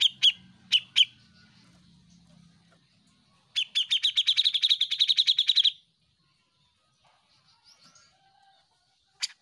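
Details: Grey-cheeked bulbul (Alophoixus bres) song: a few sharp chirps, then a fast rattling run of about twenty bright notes over two seconds, and a final chirp.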